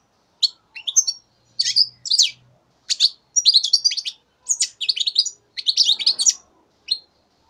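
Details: Young goldfinch, three months old in 2015, singing scattered bursts of sharp, high chirps and tinkling twitters that become denser and more continuous toward the middle, with brief silences between phrases.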